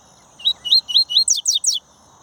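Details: Papa-capim, a captive-bred double-collared seedeater, gives a crisp phrase of four rising whistled notes followed by three steep downward-slurred high notes, evenly spaced, with soft steady background noise.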